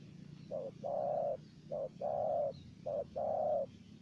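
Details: During decoy trapping a wild spotted dove answers a caged decoy. A soft short note is followed by a longer flat, muffled coo, and the pattern repeats three times over a continuous low background rumble.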